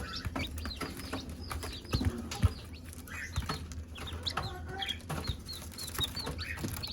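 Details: Chicks cheep busily as their mother hen calls them to food; short high bent peeps scattered across the seconds, with soft clicks and low background rumble.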